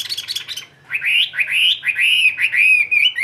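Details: A tame Chinese hwamei in a cage sings at midday, ngũ trường style. A brief burst of high chatter leads into a run of loud, rich whistles, each rising then falling, given in quick succession.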